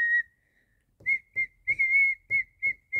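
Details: A cockatiel's whistled song opens with one long note, pauses for nearly a second, then gives a quick series of short, bright, even-pitched whistles with soft thumps under each.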